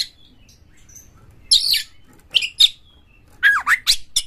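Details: Oriental magpie-robin lure song of harsh material, meant to prompt other birds to sing. Sparse, widely spaced outbursts of rasping, buzzy notes and sharp descending whistles break long quiet stretches.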